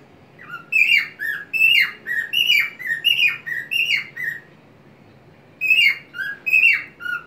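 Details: A white-faced cockatiel sings a quick run of bright, harmonic whistled notes, some sliding down, about nine in four seconds, then pauses and resumes, while swinging on a homemade swing in a small crate with wings open, tilting its head.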